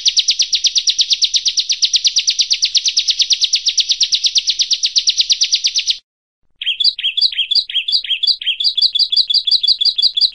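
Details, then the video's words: Bar-winged prinia (prenjak) competition-style song: a fast, dense, high buzzing trill for six seconds, then after a short pause a series of sharp, bouncing chirps repeated about three times a second. "SUARA BURUNG PRENJAK"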